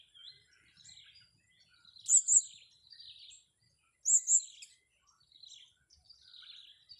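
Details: During a luring session, a blue-crowned hanging parrot gives two loud double chirps about two seconds apart, among softer, lower twittering notes.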